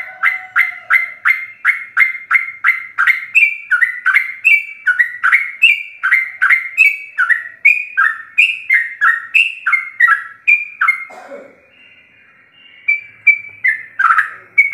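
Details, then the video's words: Sooty-headed bulbul giving a long, rapid 'ropel' song intended as a master recording for captive birds: around two dozen short, fluty phrases in fast succession, a brief lull, then a few more whistled notes. "Ropelan trucuk gacor full isian"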